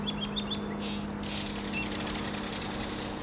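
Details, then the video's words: A song sparrow sings a brisk run of bright repeated notes, then a burst of buzzier notes and thin downslurred whistles, over a steady low hum. "Song sparrow (Melospiza melodia)"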